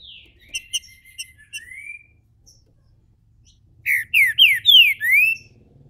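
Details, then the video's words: Caged Brazilian green-winged saltator opening its song: a few soft, clipped notes and a quiet slurred whistle, then after a pause a loud series of five ringing downslurred whistles, with a low background rumble. "trinca ferro MULEKE, abrindo canto... canto principal!!!"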